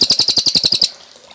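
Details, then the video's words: Short end of a Cililin trill on a clear training recording for cage birds: about nine quick, sharp, high notes, then silence. "Masteran Burung Cililin Gacor Jernih"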